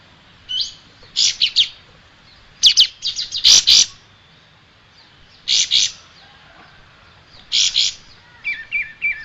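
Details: Striated grassbird song for training cage birds: scattered bursts of sharp, high chattering notes separated by pauses, ending in short descending whistled notes, over faint background hiss.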